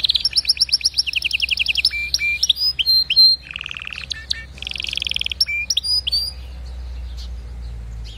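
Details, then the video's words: Singing canary delivering rapid high trills, sharp falling notes and a lower buzzy roll, phrases changing every second or so before the song fades out into faint background hum. "اذا كناريك ما تغير في ضرف دقيقة اطلقو وبلاش تربي كناري"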